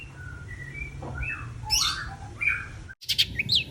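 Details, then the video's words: Varied long-tailed shrike singing: clear drawn-out whistles at different pitches, then scratchy chattering bursts and squeaky high notes, broken by a brief cut, with a low background hum. "CENDET YANG MALAS BUNYI PASTI AKAN GACOR KEMBALI"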